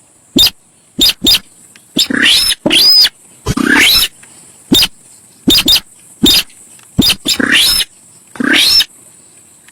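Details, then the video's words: Javan pied starling (sintar sawah) song as a lure recording: a busy run of sharp clicks and harsh bursts, broken by several long rising rasping phrases topped with thin whistles, almost continuous for ten seconds. "suara cruit cit cuit...burung SINTAR sawah"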